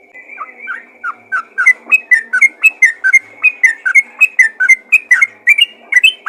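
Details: Yellow-vented bulbul calling other bulbuls: soft rising notes at first, building into a quick, loud train of bubbly whistled syllables, about two per second.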